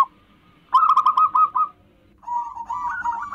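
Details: Zebra dove, a local wild bird used as a lure, gives two soft, rapid rolling phrases of staccato cooing notes at a mid pitch, separated by a short pause.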